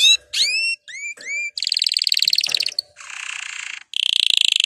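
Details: Canary singing to encourage canaries to sing: varied phrases opening with sharp rising whistles, then bursts of rapid buzzy trills at different pitches separated by short gaps.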